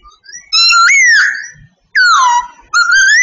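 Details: Sooty babbler from Vietnam singing: loud, clear whistled notes with rich overtones, one rising then holding, the next sliding downward, then another steady rising whistle, separated by short pauses.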